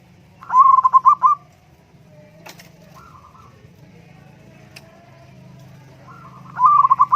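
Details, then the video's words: Zebra dove cooing, played as therapy for a sulky caged dove reluctant to sing: a rapid stuttering run of mellow, ringing notes, a quiet pause with a faint distant coo, then the same run starting again, over a low steady hum. "terapi Burung Perkutut Murung Dan Malas Bunyi"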